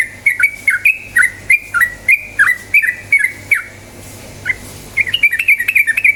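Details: Yellow-vented bulbul (trucukan) song used as a lure to make birds start singing quickly: fast run of short warbled, dipping notes, about three per second, pausing for a second near the end before a quicker burst resumes.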